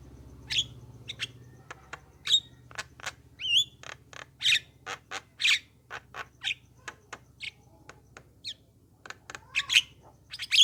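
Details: Javan myna singing as a lure for other mynas: sharp clicks and dry rasps mixed with short bent whistles at irregular intervals, over a constant low hum.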